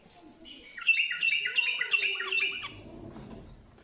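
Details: Bulbul singing a single burst of rapid, warbled notes lasting about two seconds, bright chirps stepping up and down in a jumbled phrase, followed by a faint low rumble and quiet room noise.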